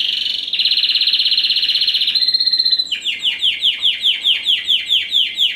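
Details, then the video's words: Captive-bred Timbrado Español crossed with wild Serinus canaria, first generation from 2015. Its song runs as a loud, rattling continuous trill, then shifts to a rolling series of about a dozen repeated, downward-sweeping notes. "Timbrado Español x Serinus Canaria"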